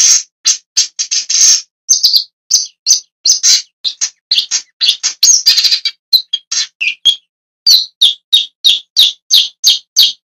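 A long-tailed shrike gives a rapid, uneven run of harsh, scratchy chirps, some in quick clusters and some spaced, all high-pitched, with no other sounds.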